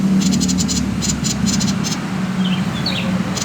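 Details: Common iora in 'konslet' song, used to draw other birds into singing: a short series of fast buzzy rattling bursts, then a couple of faint thin whistled notes, over a steady low hum.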